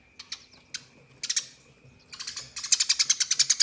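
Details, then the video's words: Eurasian tree sparrow giving a fighting, rolling song used to train contest birds: scattered sharp high chirps, then a fast, even run of bright chips toward the end, over a faint steady hum. "Tembakan Gereja Tarung Ngeroll Abis Untuk Masteran Burung Lomba"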